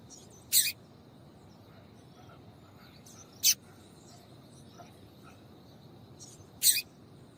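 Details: Female double-collared seedeater giving calls that breeders use to prompt males to sing. Three sharp, high, clipped notes are spaced about three seconds apart. Weak faint chips and low hiss sound between them.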